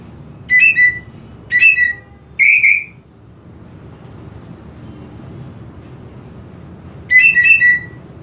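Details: Greater green leafbird song used to provoke aggression in a less fiery bird: three quick bursts of bright, clear whistled notes with downslurs, a long near-silent pause over low background hum, then another whistled burst.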